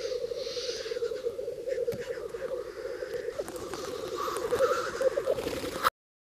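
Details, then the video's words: Black grouse cocks displaying together at a lek in Bažu bog, Slitere National Park, in early spring, gathering to mate and defending their territories; a continuous low bubbling, cooing chorus pulses steadily throughout, with occasional faint higher hissing notes above. "The Black Grouses dancing"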